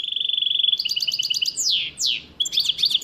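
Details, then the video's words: A bandook, the goldfinch-canary hybrid, sings in the Levantine Shami manner: a steady rattling trill that climbs into a quicker run, two long swooping descending whistles, then busy twittering notes. "تغريد بندوك لغة شاميه"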